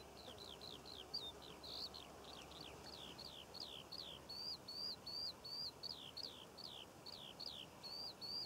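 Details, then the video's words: Skylark song above Cornish poppy fields, filmed in June: rapid run of high, quickly repeated slurred chirps, later shifting to a steadier series of clear whistled notes, with a soft background rush of open countryside. "Skylark Bird Song and Nature Sounds - Birds Singing Over The Poppy Fields of Cornwall"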